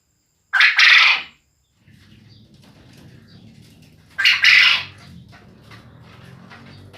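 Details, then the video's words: Male quail whose calling keeps neighbours from sleeping; two loud, harsh, buzzy two-part calls about three and a half seconds apart, with faint low rustling and background noise between them. "SUARA BURUNG PUYUH JANTAN"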